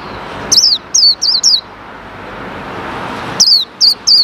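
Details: A male white-eye held in a cage and separated from the female calls after its cover is opened, while wild white-eyes come close. Four bright, descending chirps come in fast succession, then a short pause, then three more.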